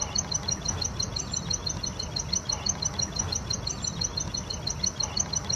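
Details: A wild plain prinia repeats sharp, high chirps at a quick, regular pace, about three a second, somewhat muffled by broadband environmental noise.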